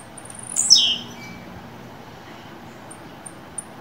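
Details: Blue-black grassquit kept in captivity, being warmed up for Canto Fibra singing, gives one sharp, high, quickly falling buzzy note, followed by faint scattered high ticks over low background hiss.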